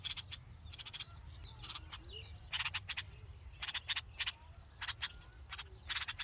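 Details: Red-vented bulbul babies, hungry, calling in the nest with the mother near: clusters of short grating chirps in twos and threes, faint thin whistles in between, a steady low hum throughout.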